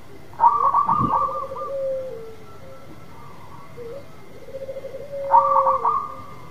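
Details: Local zebra dove singing freely to lure a silent dove: two phrases about five seconds apart, each a stuttering burst of quick notes running into a long, gently falling coo. One low knock.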